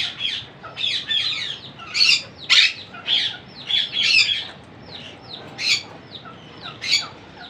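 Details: Young monk parakeets being fed by a parent, giving harsh, buzzy begging squawks in bursts roughly every half second, interspersed with thin descending chirps.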